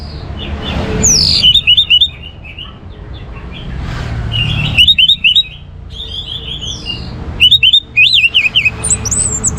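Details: Captive orange-headed thrush song meant to stimulate other birds to sing: three short bursts of quick, bright warbled notes separated by several seconds of quieter background with faint high calls.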